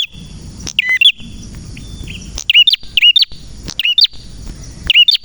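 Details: Male prinia (prenjak merah) in vigorous gacor song. Sharp, high twittering chirp bursts repeat in quick clusters about once a second over a steady thin high tone, with low background rumble between phrases.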